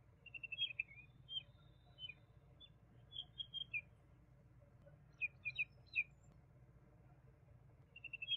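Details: Juvenile common babbler (Argya caudata): high, rapid piping runs that fall at the end, mixed with isolated bright chirps in small groups of two or three, over a quiet low hum.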